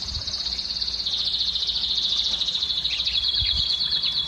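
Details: Canary song for exciting females to breed: a continuous, fast, high trill held at a steady pitch, dropping slightly after a second, with a few lower chirps under it and some background noise.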